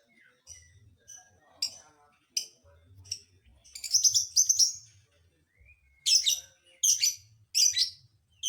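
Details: Lovebird sound meant to provoke other lovebirds: scattered sharp, shrill chirps, then a denser rasping burst and a row of loud harsh squeaks near the end, with brief pauses throughout.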